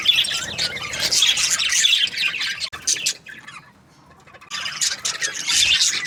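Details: Budgerigars in breeding season chatter loudly with scratchy chirps and squawks, fall almost silent for about two seconds in the middle, then resume their busy warbling.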